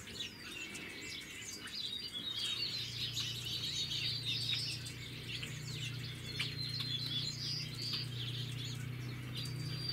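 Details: Several yellow-billed magpies (Pica nuttalli) at Santa Ynez, California, in January 2016: busy overlapping chatter of high, scratchy notes and chirps, several a second, over a steady low hum.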